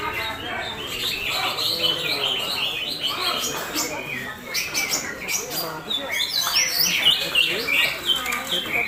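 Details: Captive Sumatran leafbird of the Semar type singing a champion-style song: a busy jumble of chattering, twittering and slurred whistles, varied and fast, with occasional harsher notes.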